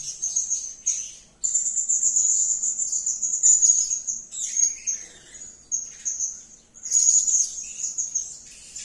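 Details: Blue-crowned hanging parrot giving lively calls: a sustained, piercing high-pitched chatter, steady for about three seconds, then broken into shorter shrill bursts with brief pauses.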